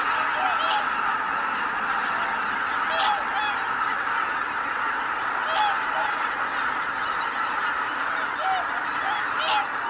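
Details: Greater white-fronted geese, a large flock taking off together at Kabukuri-numa marsh on 12 January 2019, a dense unbroken chorus of nasal honking with many overlapping voices and sharper high yelps now and then.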